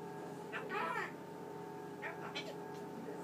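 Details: Male pet Eclectus parrot talking indoors at night just before being covered for sleep; two brief speech-like phrases with shifting tones, separated by a pause, against a constant fridge hum.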